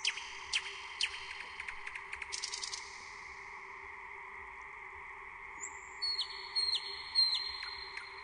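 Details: Nightingale song opening with dry rapid clicks and rattling notes, a pause, then a long thin whistle followed by repeated sharp whistled notes that drop quickly in pitch, over a constant faint hum.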